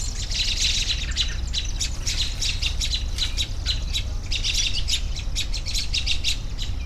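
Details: Busy, harsh chattering from several birds: rapid clicks and squeaky chirps packed closely together, with a steady deep rumble throughout.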